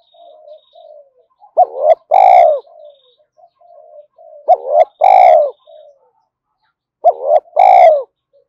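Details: Spotted dove calls used to rouse newly caught doves into cooing: three low, loud phrases about three seconds apart, each a short wavering note and a longer falling coo, with soft quiet coos running between.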